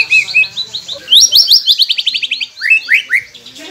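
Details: White-rumped shama song meant to get silent captive shamas singing. A rapid stream of high, sharply slurred notes, repeated several times a second, ends with a few downward-sweeping whistles.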